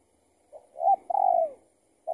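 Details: Spotted dove answering a decoy during trapping, a bird that turned out to be an escaped tethered one: a short soft note, then a low hoarse coo and a longer drawn-out coo that slides down at the end, then another note.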